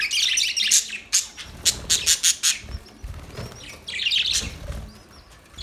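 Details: Budgerigar chirping as busy high chatter that breaks into a string of sharp, evenly spaced clicks and chips, then resumes warbling.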